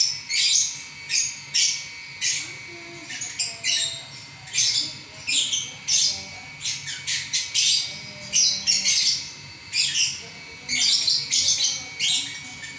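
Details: Champion lovebird in an extended non-stop song: a fast stream of short, piercing chirps and buzzy squeaks delivered in clustered bursts over several seconds, with faint background murmur.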